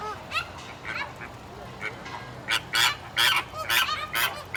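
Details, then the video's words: Flamingos housed at Stone Zoo in Massachusetts: soft distant honks at first, then louder harsh nasal calls repeated in a rapid irregular run of about eight bursts. "Funny Sounds of Colorful Flamingos"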